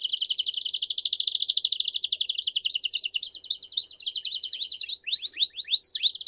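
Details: A Belgian canary sings in the 'campainha' (bell) style: a fast, high rolling trill, then loops of quick upslurred notes and bright falling chimes, with no other sounds.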